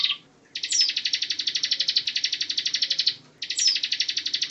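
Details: Ciblek, the bar-winged prinia, giving its rapid tembakan trill used as a training song for magpie robins: a dense, high, rattling buzz pulsing steadily, in two long bursts after a short opening note and a pause.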